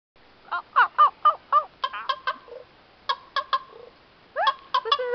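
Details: A raven at a wildlife sanctuary gives a quick series of funny, hollow, gurgling croaks and clicks, some rising and bending, in bursts with short pauses; no other sounds intrude.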